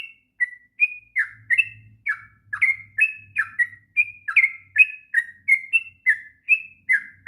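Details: Kept sooty-headed bulbul in long ngropel song for tutoring young birds, delivering steady clear whistled notes, each dropping and slurred, in a rapid regular series of about two and a half per second, faint low hum beneath.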